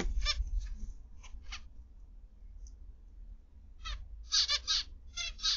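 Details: Zebra finches in an aviary on the afternoon of 29 November 2021 give nasal, buzzy notes, a few spaced ones then a quick burst of five or six, over a low steady hum.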